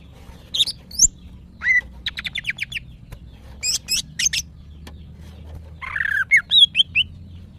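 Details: Female greater green leafbird in breeding condition, kept as a cage bird, calling males: sharp chirps, a rapid series of buzzy rasping notes, then a fast twittering, warbled phrase of high whistles.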